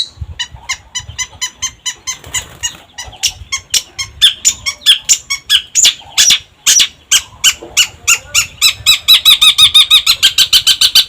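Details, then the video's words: Cendet, the long-tailed shrike, giving a gacor pancingan lure song: a long series of sharp, rasping notes that starts spaced, then becomes denser and faster, ending in a rapid, buzzy stutter. "Pancingan Cendet Gacor"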